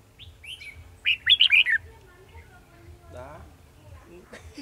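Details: Red-whiskered bulbul singing during trapping of wild birds on 18 December 2020: a quick burst of bright, warbled whistled notes lasting under a second, with men talking quietly and a low hum in the background.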